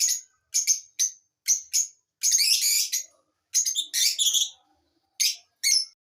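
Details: Lovebird chirping: short, sharp, high chirps in quick bursts with silent gaps, broken by harsher, buzzy chattering runs near the middle; no other sounds heard.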